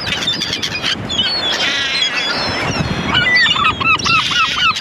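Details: Gulls calling: several overlapping harsh, nasal, harmonic cries, then a quick run of short yelping notes at about three per second near the end, over a steady broadband background rush.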